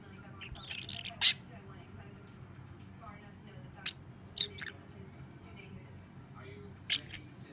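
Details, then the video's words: Sleepy juvenile starling sitting on a shoulder and nodding off, murmuring quiet chitters broken by a few sharp clicking and squeaky notes spaced a second or more apart, with steady low room hum underneath. "Juvenile starling sleepy talk"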